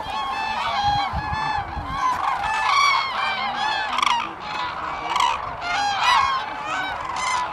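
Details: Chorus of common cranes at Sweden's Lake Hornborgasjon in April 2017, loud rolling bugles from numerous birds layered over each other, swelling and easing.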